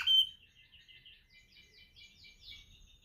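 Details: Canary practising its training song: after one loud sharp whistled note, a quiet, rapid run of buzzy twittering trills follows, rising and falling in short repeated phrases.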